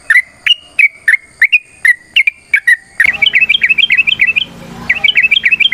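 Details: Fighting song of a kept sooty-headed bulbul, used to prompt other birds to sing: a series of separate whistled notes, then a fast run of repeated chattering phrases over a noisier background.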